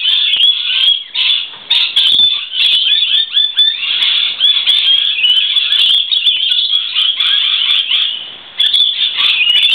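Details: A noisy flock of lorikeets sheltering from rain on a verandah, producing overlapping harsh screeches and high chattering notes in a steady wall of sound, briefly dipping quieter near the end.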